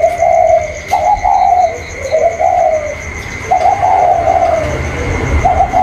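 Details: A spotted dove, seemingly a caged bird cooing back and forth with wild doves outside, gives low, hollow, rolling coos in quick phrases, about five in six seconds, over a steady faint high whine.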